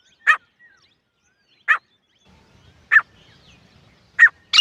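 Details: A female grey francolin (gora teetar) repeats a short, rough, clipped note roughly every one and a half seconds, the last note running into a louder, higher burst, over quiet background.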